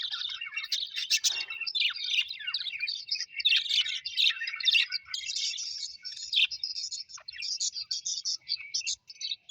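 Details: Happy pet budgerigars, colorful Australian budgies, chatter continuously in a dense stream of high warbling chirps, scratchy twitters and short squeaks with few pauses and no other sounds.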